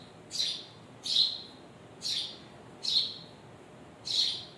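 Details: Parent birds and their babies chirping: five sharp high chirps falling in pitch, spaced irregularly about one second apart, with low background hiss between them.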